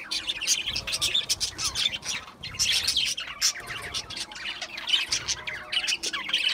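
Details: Budgerigars keep up steady, rhythmic chattering: clustered high chirps and harsh little squawks in quick pulses, with only a brief dip in activity around two seconds.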